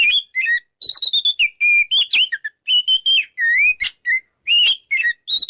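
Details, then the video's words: Continuous, energetic 'ngeplong' singing by an Oriental magpie-robin, used to provoke rivals: a dense stream of loud whistles, buzzy trills and swooping slurs with only brief breaks. "PancinganKacerNgeplong|| Bikin Lawan Ngajak Tarung"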